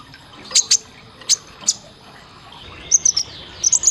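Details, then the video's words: Olive-backed sunbird, a master training recording for caged birds in the rapid 'isian tembakan' style: two sparse pairs of sharp, very high chirps, then a quick run of thin piping notes near the end over low background hiss. "Isian Tembakan Suara masteran kolibri ninja konin Gacor Tajam"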